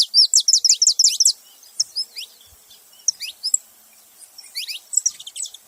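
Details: Saffron finch opening with a quick, even run of about eight bright, high, rising notes. Looser groups of sharp upswept chirps follow, separated by short pauses.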